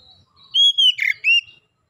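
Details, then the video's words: Oriental magpie-robin singing as a lure for other birds: a few sweet whistled notes, a long level whistle, then a buzzy dipping note and a rising whistle, clean background. "PANCINGAN KACER LANGSUNG GACOR NGEPLONG NGOTOT BONGKAR MATERI ISIAN"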